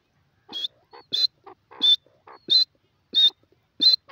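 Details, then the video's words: Grey francolin calling in a steady rhythmic series, about one and a half notes per second, each a sharp, high, piercing shriek followed by softer lower clicking notes, with a quiet background. "teetar ki awaaz grey francolin top awaz"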